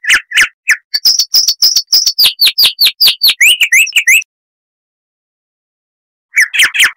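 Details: Chestnut-vented warbler (Sylvia subcaerulea), a bird of southern African scrub and dry riverbeds, singing a loud, clear, crystal-toned song of rapid repeated notes, some high and whistled, others lower and sliding, ending in a pause and a new burst.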